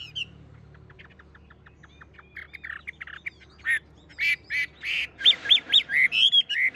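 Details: A tame Chinese hwamei in a cage sings on while its cage is shaken, starting with soft rapid ticking notes that build into a loud series of ringing, slurred whistles repeated about twice per second.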